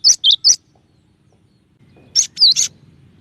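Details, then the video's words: Gelatik batu (cinereous tit) with 'tembakan' song variations in a clear voice: three sharp chirps, a gap of over a second, then three more, the middle one a bent, slurred whistle. "suara burung gelatik batu dengan variasi tembakan banyak yang nyari"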